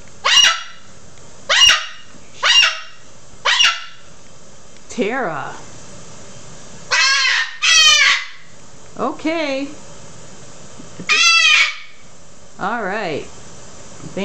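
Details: A rescued, feather-plucking pet cockatoo screaming loudly indoors gives four harsh, grating screeches about a second apart, followed by wavering, talk-like calls and its owner speaking; such screaming is normal for cockatoos.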